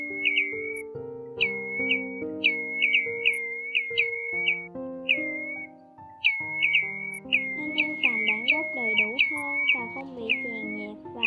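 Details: Pacific golden plover flock-calling recording from 2020: clear whistled, slurred 'tu-ee' notes, often doubled or tripled in quick bursts, repeated over about eleven seconds above steady background music.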